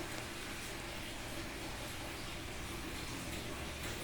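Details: Constant hiss-like noise fills the recording evenly from start to end, with no distinct animal calls.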